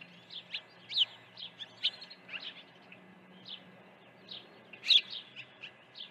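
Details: Osprey calling through an early morning feeding at the nest, June 2019; spaced high thin chirps with a few sharper peaks, over a low constant hum.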